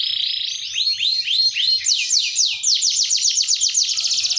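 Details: Canary of the panda colour singing hard in a long roll: high swooping down-slurred notes repeated rapidly, changing to a tighter, faster trill of short strokes, loud and continuous.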